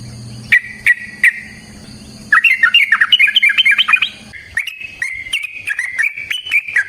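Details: Sooty-headed bulbul singing in the ropel variasi nrotok ngecuplik style, used as a lure to get other bulbuls singing: three spaced chirps open into a fast, jumbled burst of bubbly warbled notes, then a run of quick repeated chirps.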